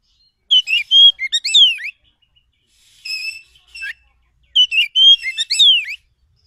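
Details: Oriental magpie-robin from the forest, song meant to provoke an answering bird: two bursts of varied whistles and downward slurs with a quieter buzzy phrase between them, separated by short silences.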